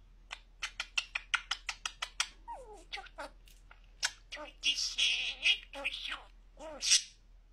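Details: Pet budgerigar talking very clearly indoors, a run of quick clipped syllables followed by raspy, high-pitched word-like phrases with warbling notes, ending in a sharp squeaky utterance.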